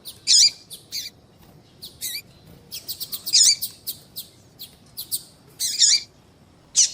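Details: Female double-collared seedeater calling repeatedly to attract males; high sharp chirps and softer ticks come in an uneven, steady stream over seven seconds, with louder doubled notes now and then.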